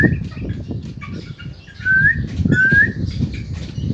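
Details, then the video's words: Ayam Ketawa (laughing chicken) chick gives short whistled peeps, two of them longer and gliding upward, over steady low background rumble. "anak ayam ketawa gacor"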